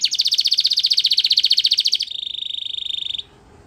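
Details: Belgian canary song for training canaries to sing: a fast, even roll of high buzzy notes that slows into a steadier, thinner trill, then stops abruptly.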